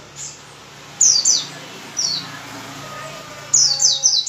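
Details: Sparse high white-eye chirps, each a quick thin downslur: a pair, then a single note, then a closing burst of three, set against faint hiss and low hum.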